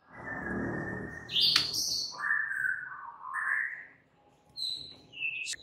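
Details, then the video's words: White-rumped shama heard in the morning: rich whistled notes that step up and down, a piercing high slur, and thin high whistles toward the end, over a low background hum. "mUrai MACET jadi NYAUT GACOR di PAGI HARI"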